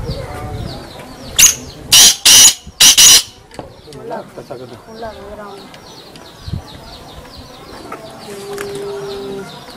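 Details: Black francolin, known locally as kala teetar, gives a rapid series of five loud, harsh, scratchy notes early on, followed by a calmer background of soft chirping from small birds and scattered faint sounds.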